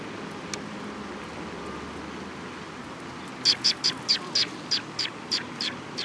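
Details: Sparrows coming to be fed at Mizukami Bridge on 18 May 2021: after three quiet seconds, a run of about eight short, sharp, high chirps spaced evenly over the last half, over a steady outdoor hiss.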